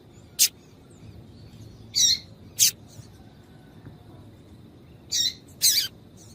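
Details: Female yellow-bellied seedeater chirps used to warm up males for singing. Five brief, sharp, high notes come at irregular intervals, some sounding as clicks and some as slightly longer buzzy chips, over a low steady hiss.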